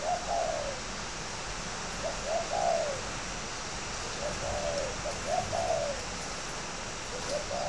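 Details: Caged fighting spotted dove at Ba Vì, Hanoi, in northern Vietnam, repeats mellow low coo phrases about every one and a half seconds, each short lead notes sliding into a longer falling tone, over hiss.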